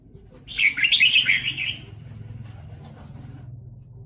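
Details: Red-whiskered bulbul caught in a trap while fighting and singing: a single brief burst of bright, chattering high notes lasting just over a second, then only a low background hum.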